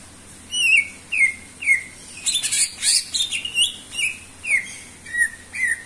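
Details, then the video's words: Energetic greater green leafbird song: repeated sweet downward-slurred whistles about twice a second, briefly interrupted midway by a burst of harsh rustling noise and rapid chatter before the whistles resume. "sura burung cucak ijo gacor"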